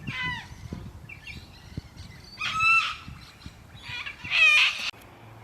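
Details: Sulphur-crested Cockatoo at Carisbrooke Park, a suburban Adelaide park in South Australia, amid its crazy antics. Scattered grating squawks build to two louder harsh screeches, the last ending abruptly.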